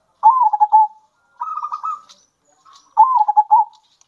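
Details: Local zebra dove song used as a lure for other doves: three phrases, a rising-then-falling stuttered coo, a flatter buzzy trill, then another bouncing coo series.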